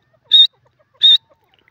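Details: Grey francolin (teetar) calling: two loud, harsh, buzzy notes about two-thirds of a second apart, each short and broad-toned with a bright ringing core, against a quiet background.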